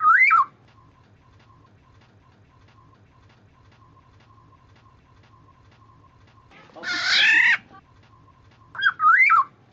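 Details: Lure recording of a black-naped oriole: a short rising whistle, a long quiet gap, a rasping nasal call, then a bright looping whistled phrase, with a faint steady tone and low rumble throughout.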